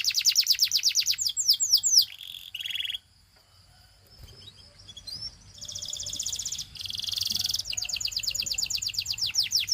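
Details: Belgian canary; song; prompting other canaries to sing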